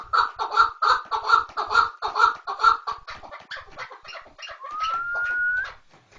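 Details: Chukar partridge calling in loud, evenly spaced chuck notes, about two per second. The notes then turn softer and jumbled, and a smooth rising and then level whistle-like tone lasts about a second near the end.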